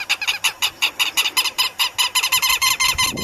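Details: Southern lapwing on webcam giving loud, grating, metallic notes in a quick series of nearly three per second, each note short and rasping, the string continuing without pause.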